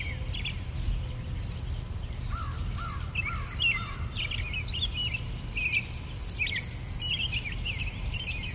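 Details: English garden recording where a bird gives scattered twisting whistles, some lower and some higher, while insects pulse steadily in the background over a low hum.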